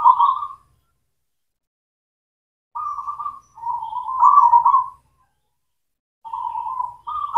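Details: Zebra dove (local perkutut, cemani) lure song for doves that will not sing: short rolling coos, a silence of two seconds, then a longer run of warbling, burbling coo notes, and one more phrase at the end.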